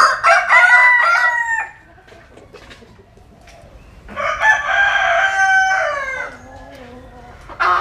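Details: Vietnamese rooster sunbathing and crowing in the Mekong Delta region: a loud harmonic crow, a quiet gap with faint background crowing, then a second long crow, with the start of another at the end.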